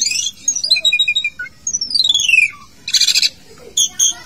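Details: A caged Asian pied starling, in a bathing cage, sings long descending whistled slurs and stepped chirps, broken by a short harsh buzzy burst, then clear whistled notes again.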